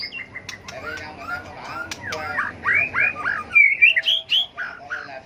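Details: White-rumped shama singing its aggressive contest song for bird training; soft chattering start building into loud, rapid arched whistles and a bright rising flourish.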